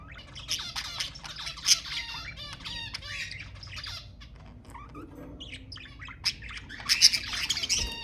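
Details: Budgerigars chattering to stimulate mating: dense warbling with buzzy squawks and quick chirps, short harmonic notes and clicks running on without pause, louder bursts near the start and end.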